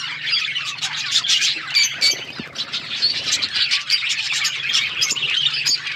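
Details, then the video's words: Several budgerigars chattering on February 18, 2024, a constant stream of rapid, squeaky chirps and warbles over a low steady droning hum in the background. "budgies bird birds chirping sounds"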